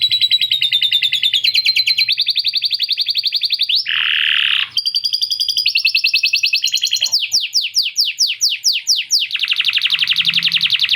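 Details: Caged canary in long, persistent song with lovebird-chatter imitation: steady rapid trills, a harsh buzzy burst midway, then a string of sharp downslurred notes and a dense rolling trill to close.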